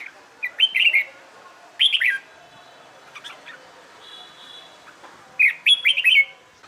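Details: Caged red-whiskered bulbul trained for competition singing, giving three quick bursts of bright, slurred whistled notes separated by pauses, with a faint thin whistle in the gap.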